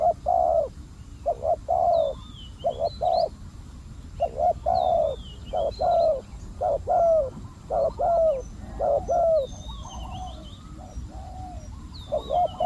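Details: Decoy spotted dove used to attract wild doves, cooing steadily: a long run of low, hoarse coo notes in paired and triple bursts, with faint high bird whistles behind.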